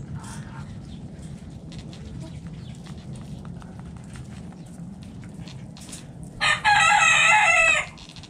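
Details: Backyard rooster in a coop where chickens are eating, giving one loud harmonic crow of about a second and a half late on, rising then falling, over steady pecking clicks and a low rumble.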